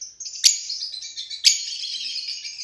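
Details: Fischer's lovebirds giving a continuous high, shrill twitter, broken by two sharp, louder squeaks about one second apart.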